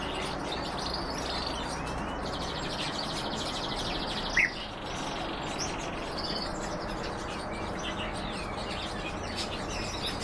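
A canary-goldfinch hybrid sings a high, rapid trill for about three seconds over steady hissing background noise, with one sharp click midway.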